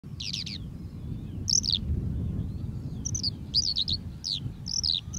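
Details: Eurasian skylark singing in Uitkerkse Polder, Belgium, in April 2021: high, rapid warbling phrases of trilled, twisting notes follow one another with brief gaps, over a steady low rumble of background noise.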